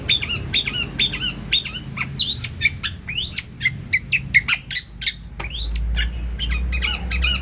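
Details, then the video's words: Long-tailed shrike singing actively with abundant varied fills: quick chattering sequence of sharp chirps, upward-sweeping whistles and short squawky notes, densely packed, over a low background rumble. "CENDET GACOR ISIAN MELIMPAH!!"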